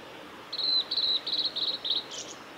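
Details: Male blue-and-white flycatcher song recorded 17 May 2020 on a forest road at Lake Miyagase, Japan: a long high whistle, then rapid buzzy trilled groups of notes repeated in quick succession, ending on a harsher, broader note.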